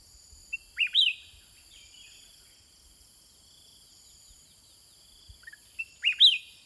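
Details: A caged sooty-headed bulbul counter-singing with wild birds gives two short bubbly phrases about five seconds apart, each a pair of quick swooping notes, with faint chips between and a steady high hiss throughout.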